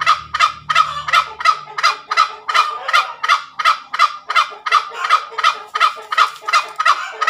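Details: Tame junglefowl giving its ngekek call, a continuous cackling series: harsh, broadband raspy notes repeated nearly three times a second at a steady pace, with a faint low hum in the opening seconds.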